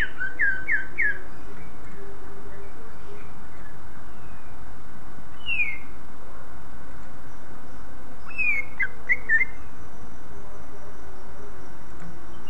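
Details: Greater green leafbird song meant to draw other leafbirds into singing: a quick run of downslurred whistles, then isolated clear falling whistles spaced seconds apart, with a low hum underneath.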